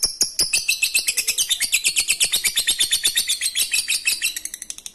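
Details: Lovebird in ngekek receh style, used to coax quiet lovebirds into singing: a fast, high, chattering run of sharp chirps, about three per second, steady throughout and fading slightly at the end.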